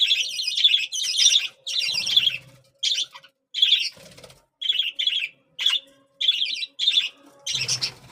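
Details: Feeding time for budgerigar chicks, which pour out rasping, wheezy begging notes in clipped bursts, several fast ones at first and then evenly spaced, with a low thud near the end.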